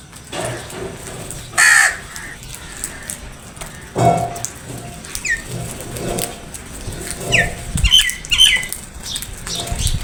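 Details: Crows attacking food: a few loud, harsh, broadband caws at irregular intervals, with higher squawky notes near the end and rustling, flapping noise between calls.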